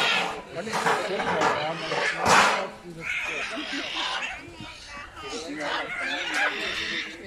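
Several macaws trade harsh, raspy squawks in overlapping bursts, the loudest screech rising above the rest near the middle; chattering and possibly voices in between.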